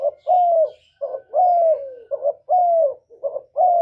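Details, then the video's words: Spotted dove, a kept bird whose cooing is played to stir other doves to sing, gives loud phrases of short coos and longer falling notes, about one each second, with faint chirps of other birds overhead. "Cu gáy lớn tiếng, không tạp âm, giọng hay dễ mở, cu gáy kích bổi, cu gáy đi bẩy, cu đất gáy, cu cườm"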